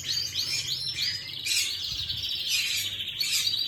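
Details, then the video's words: Canary singing, recorded on 11 May 2025: a continuous, warbling stream of high rolling trills and sliding notes, rising and falling without pause, over a low background hum. "Chim Hồng Yến hót."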